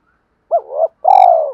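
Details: Spotted dove, a call for luring decoy birds: a rising-then-wavering coo followed by a long, buzzy, rolling coo that drifts gently downward.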